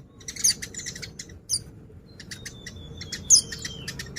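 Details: Oriental white-eye singing actively, meant to set other white-eyes answering: scattered very high, sharp chirps and ticks, three louder bursts, and a thin, steady whistle that slowly falls in pitch across the second half.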